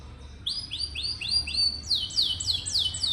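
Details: Singing canary used as a tutor for young birds that seldom sing: a series of clear downward-sweeping whistles repeated about four times a second, growing louder and higher toward the end.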